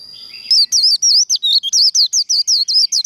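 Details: Training líu đấu, the fighting contest song of a Japanese white-eye: after a short faint lead-in, loud rapid looping chirps burst out, tightly repeated at high pitch.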